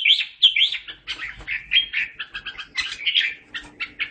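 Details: Red-whiskered bulbul singing to call its flock: a lively run of bright, slurred whistles and chirpy warbled phrases, fairly high and tumbling in quick succession without pause.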